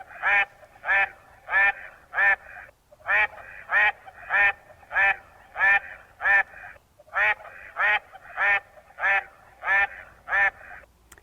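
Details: A Mallard gives loud, nasal, raspy quacks, about one and a half per second, in runs of four to six with short pauses; Mallards sometimes occur in the creeks at Crystal Cove State Park, California.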